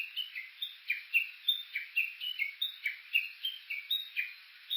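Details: Japanese bush warbler recorded while walking on Suo-Oshima, Japan, near Kuka at the foot of Mt. Yakushi, on an Olympus Voice-Trek V-82: a quick run of clear, falling chirped notes, about three each second, with no other sounds.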